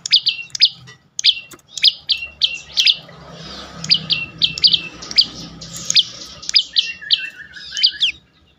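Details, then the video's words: Prinia calling as bait to make other birds sing: crisp, high chirps in rapid groups with quick downward sweeps, then a softer trailing run of lower notes, over a faint hum. "full Dorrr prenjak lumut lain makin tergoda berbunyi sangat ampuh untuk pancingan burung bisu"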